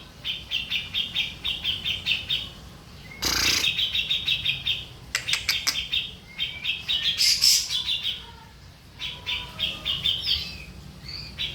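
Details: Grey-cheeked bulbul, recorded as a master for training birds: bursts of quick, bright chattering notes repeated in runs of one to two seconds, with a loud rustling clatter and brief pauses between runs.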